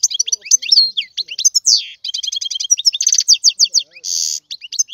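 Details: European goldfinch in full song, a continuous run of rapid tinkling twitters, sharp chips and liquid trills, with a short harsh buzzing note near the end.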